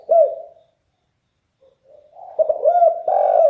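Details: Loud, bass-voiced spotted dove: the tail of one coo, a pause, a faint rising murmur, then a new run of strong hollow coos building at the end.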